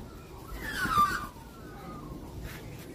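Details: Australian magpie producing one bright, falling whistle lasting about half a second, followed by a softer gliding note and a quiet background.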